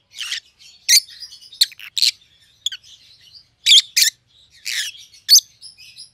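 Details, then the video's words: Rosy-faced lovebirds, two white-headed opaline siblings in pallid and green, exchanging piercing chirps and harsh squawks with soft warbling chatter running beneath. "Rosy-Faced Lovebirds - Chirping and Call Sounds"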